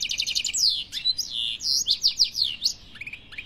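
European goldfinch singing a fast, high, liquid twitter of tinkling notes, quick trills and buzzy slurred phrases, run together without pause; no other sounds.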